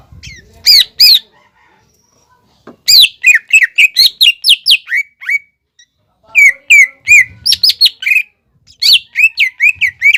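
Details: Lively greater green leafbird song used to provoke other leafbirds still learning to sing: loud bursts of quick, varied whistles and chirps, each phrase a fast run of up-and-down notes, separated by short silences.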